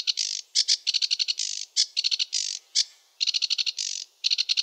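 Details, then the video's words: Sedge warbler song, varied and chattering, with quick trains of sharp ticking notes alternating with harsh drawn-out buzzes, each phrase ordering differently. "Sedge warbler song (Acrocephalus schoenobaenus) the warbler rapper"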